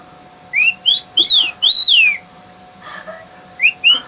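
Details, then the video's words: A male bird whistling for his mate and showing off gives clear, high, rising and arched whistles, four in quick succession, then two more after a pause, over a faint steady hum. "Silly bird whistle"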